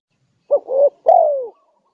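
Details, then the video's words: Single spotted dove coo phrase meant to lure wild doves: a short hoot, a rising middle note, then a long smooth coo falling in pitch. "Suara pikat~burung tekukur gacor"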